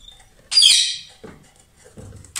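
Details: A pair of lovebirds singing loudly: one harsh, shrill screech lasting about half a second, falling away, followed by faint rustles and a soft chirp at the end.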